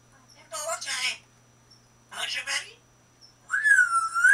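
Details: A 21-year-old female African grey parrot, caged with a Senegal parrot, blue-fronted amazon and cockatiel, chatters in two harsh, speech-like mumbling bursts. Then comes a loud, clear whistle that rises and holds steady, in a quiet small room.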